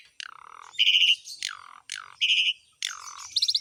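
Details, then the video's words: Harsh downslurred squawks from an Asian pied starling, three in under four seconds, alternating with short loud buzzy notes and ending in a quick high trill. "KICAUAN BURUNG JALAK SUREN GACOR FULL ISIAN MEWAH"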